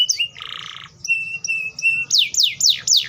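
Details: Atlantic canary singing a short buzzy rattle, then a few level whistled notes, then four loud high sweeps that fall steeply, each repeated about every quarter second.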